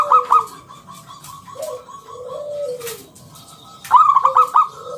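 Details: Loud local zebra dove giving 'ngalun kung bulat' coos, played to lure other doves into calling; a string of soft even coos and a low slurred note, then a sharp bubbling phrase near the end.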